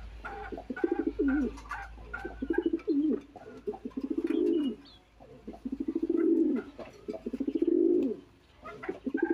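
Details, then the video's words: Domestic pigeons kept in a small hobby farm on a balcony, calling to each other: low, throaty pulsed coos swelling and fading in bouts every couple of seconds, with faint chirps and clicks in the room. "দেখেন কবুতর গুলা কি করছে কবুতর গুলা ডাকাডাকি করছে স্বরে একটু শোনেন আপনারা"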